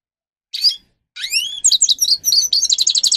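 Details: Grey-crowned goldfinch song for training captive birds: one brief chirp, then rising whistled slurs that run into fast, high twittering repeated about four times a second.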